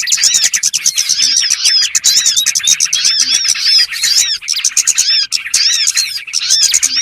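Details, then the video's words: Small birds call in a lure meant for trapping, with a thick chorus of piercing chirps and rising-falling whistles, dipping briefly around four seconds. "SUARA PIKAT BURUNG BURCIL"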